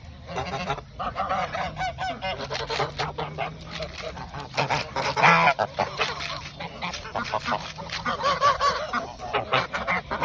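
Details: Domestic geese honking and calling together at snack time before bed, a busy overlapping chorus of harsh nasal honks with chattering bursts.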